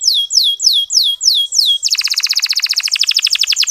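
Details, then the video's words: Local canary song used as a training lure to rouse sluggish male canaries into singing: a series of clear, high downslurred whistles repeated about three times a second, then a fast, even rattle-like trill of rapid notes. "Masteran Kenari Lokal Super Gacor"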